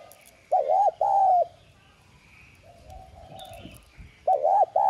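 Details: Lure spotted dove, 'son' voice, calling to excite newly caught wild birds to coo; two clear paired coos open and close the passage, with a softer distant dove cooing between them.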